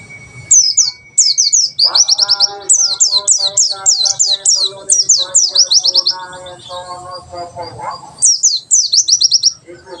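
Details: Long tembakan sejalur performance by a white-eye, meant as a master song for birds learning: dense, fast volleys of high down-slurred whistles with an underlying lower, harmonic chattering voice throughout.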